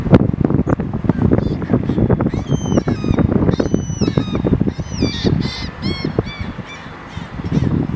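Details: Ring-billed Gull at Tramore Boating Lake on December 5, 2013, giving high, nasal, slightly downslurred calls in a short series over heavy low rumbling noise, possibly wind or distant voices.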